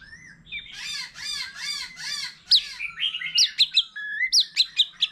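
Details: White-rumped shama, a wild-matured bird, in varied competitive song with a laughingthrush: four looping warbled notes in even rhythm, then sharp high downslurred whistles repeated quickly.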